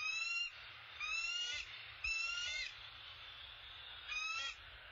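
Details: Around a bald eagle nest where the male appears to bring an opossum, four longer, drawn-out squealing calls of high, thin, slightly stuttered notes, spaced about a second apart, with faint low background noise.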